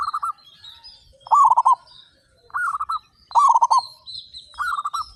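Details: Thirty-five local zebra doves in active, loud song; rippling coo phrases of rapid pulsed notes alternate with pauses about a second long, while soft high twittering runs in the background.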